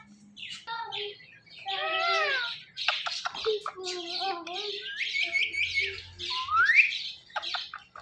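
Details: Pet Indian ringneck parakeet chattering in a talking style: a mix of nasal wavering syllables, clicks and raspy bursts, ending in a sharp upward whistle and brief squeaks.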